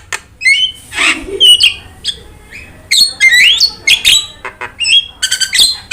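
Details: Jalak starling used to lure and train birds to sing: scattered squeaky whistled notes and upslurs, a husky breathy squawk, then a livelier burst of rising chirps.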